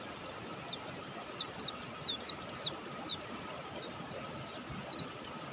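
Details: Buxtoni mountain white-eye in energetic song: dense, fast twittering of high descending chirps and slurred notes, almost continuous through the whole passage, with a faint hum behind.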